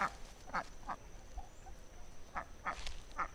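A Muscovy duck gives six short, harsh quacks in two groups of three, about a third of a second apart, over a low background rumble.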